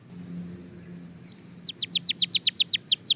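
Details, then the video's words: Belgian canary song from a singing-training recording: a quiet start over low background hum, then a clear series of about a dozen sharp downward-slurred whistles repeated rapidly. "Shocking Canary Singing Progress – You’ve Never Heard This Before!"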